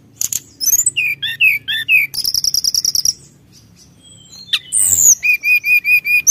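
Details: Brown-chested jungle flycatcher in energetic song meant to rile rivals: mixed whistled slurs, a rapid train of clipped high notes, a pause, then a swooping whistle and steady repeated chips.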